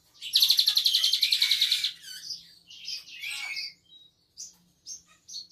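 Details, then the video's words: Asian pied starling performing a Cililin fill-in with imitations such as canary, calling by itself without teasing: a loud rapid metallic trill lasting about a second and a half, followed by scattered sharp whistles and chirps. "Suren gacor isian Cililin"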